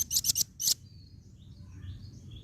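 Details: Velvet-fronted nuthatch, a female, gives four sharp, high, clipped chip notes in a quick cluster, followed by quiet with faint distant bird twitters.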